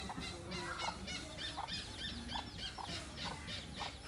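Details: Hornbill giving short honking notes about twice per second, over a steady noisy background with higher chattering sounds.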